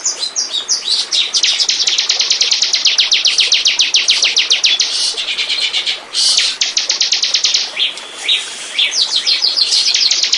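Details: High rapid song of a bar-winged prinia, used as a lure to attract birds: sustained rattling series of sharp notes, with brief breaks filled by slurred chirps, continuing throughout.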